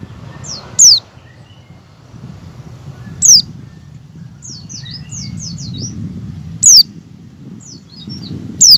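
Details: Oriental white-eye singing ngecal and learning ngalas song, a lure to get white-eyes to open their beaks. Four strong descending whistles punctuate clusters of softer, rapid falling chirps, against a low rumbling background.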